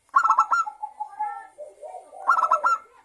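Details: Local zebra dove singing vigorously, a lure song used to get other doves to sing: a rapid stuttering burst of pulsed notes, softer drawn coos in between, then a second fast pulsed burst near the end.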